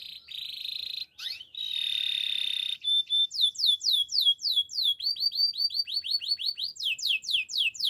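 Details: Gloster canary song meant for coaching other canaries: two long steady whistled notes, then a run of quick rising sweeps repeated about four times a second, shifting to a lower series and back up.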